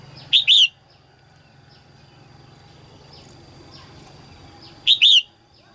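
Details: Singing female red-whiskered bulbul, early season 2022, calling to stimulate males. Two loud, sharp two-note phrases about four and a half seconds apart, with faint high chirps from other birds and a low hum between them.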